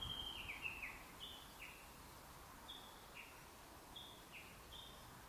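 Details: Tani-watari (valley-crossing) calling of a Japanese bush warbler, captured with a handheld camera and telephoto lens: a louder opening burst, then a run of short whistled notes stepping down in pairs, fading slightly, with low hiss behind.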